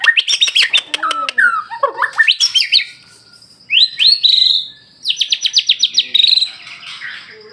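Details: White-rumped shama in full song: rapid sharp clicks and chips, swooping whistled slurs, a rising whistled phrase, then a fast run of repeated high notes, bright and loud with quiet background.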